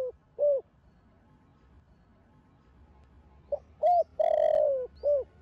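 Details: Young spotted dove (cu gáy, cu đất) of the thổ sấm line cooing in the thổ đồng voice style, used to stimulate other doves: two short hooked coos, a silent gap, then a rapid phrase ending in a long drawn-out coo and a final short note.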